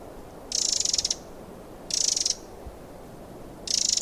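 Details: Free Eurasian wren repeating dry, grating churring calls, three rattling bursts of about half a second each against steady background hiss.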